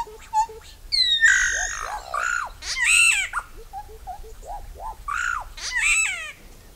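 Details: Song of a solitary black cacique, locally called bauá or boé: a varied mix of loud rich squawks, sliding whistles and short hollow notes, with bursts of song repeated over several seconds.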